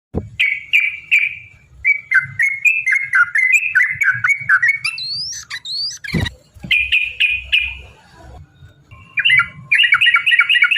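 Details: Yellow-vented bulbul in long, rapid fighting song used as a lure to provoke rivals: bright whistled notes in quick bursts, some rising and falling, a break midway with a sharp click, then fast repeated notes again over low hum.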